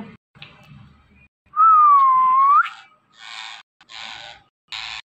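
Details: Rose-ringed parakeet whistles one long, loud, clear note that dips slightly and then rises sharply, followed by three harsh, noisy bursts separated by short silences.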